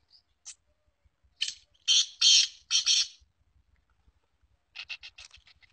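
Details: Captive trained female black francolin gives a string of harsh grating bursts. After a pause comes a quicker run of shorter rasping notes, with faint ticking in the background.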